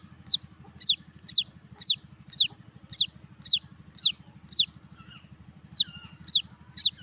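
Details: Young chicks chirping in a quick series of piercing downward-sliding peeps, roughly two per second, a brief lull near the end, with a continuous low droning hum underneath.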